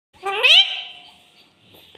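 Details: Talking pet parrot in a clear voice: one nasal, strongly harmonic utterance rising in pitch, peaking sharply, then holding a long, steady, fading tone. The room is otherwise quiet.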